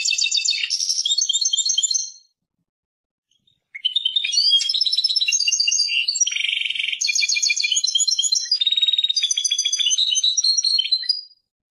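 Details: Persian goldfinch song by a European goldfinch: a long, rapid, liquid twittering performance of tinkling notes, buzzy rattles and trills, with one short pause.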